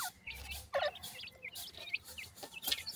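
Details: Young francolin chicks making sparse, high, falling peeps, with a few louder knocks and clatter mixed in.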